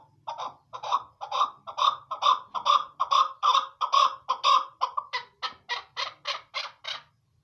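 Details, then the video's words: Chukar partridge (chakor, keklik), possibly female, gives a fast run of harsh clucking notes about two per second, swelling in loudness and turning slightly clearer and higher toward the end. "smart sound of chakor krklik sesi chakor birds"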